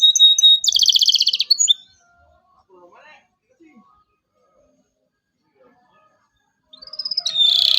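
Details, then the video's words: Local canary, energetic 'cuit cuit' singer used as a tutor for young birds. A short rapid buzzy trill opens, followed by near-silence with faint soft sounds, then a rising whistle sliding into a loud buzz. "KENARI LOKAL GACOR CUIT CUIT EMOSI, PANCINGAN LENARI PAUD AJAR BUNYI"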